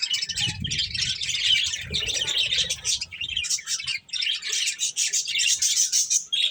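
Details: Several pet budgerigars eating corn, giving dense, continuous high chattering and warbling chirps. Soft low thumps and rustling from feeding are heard in the first three seconds.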